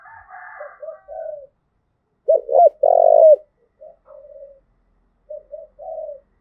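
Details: Spotted dove, Đồng Nai, Vietnam, coo style called "thúc gù", played to provoke and train decoy birds: gentle murmured coos around a single loud phrase of two clipped notes and a long, slightly falling coo.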